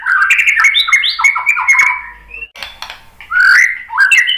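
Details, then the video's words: White-rumped shama song used as a lure to provoke other birds into singing: rich, varied whistled phrases with rising and falling slurred notes, a brief pause with soft rustling, then loud whistled phrases resuming. "KICAUAN MURAI BATU bikin EMOSI NYAUT BONGKAR MATERI ISIAN ¦ PANCINGAN MURAI ¦ SHAMA BIRD"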